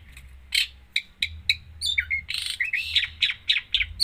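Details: Long-tailed shrike singing energetically with a mimicry-filled song: spaced chipping notes speed up into a fast run of slurred, downward-curving whistles and scratchy chirps, about four notes a second.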